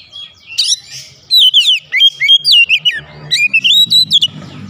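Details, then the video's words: Oriental magpie-robin singing while agitated, showing off its repertoire of learned fill-in phrases: rapid, loud whistled notes that swoop up and down in a continuous, varied stream. "Kacer emosi bongkar isian"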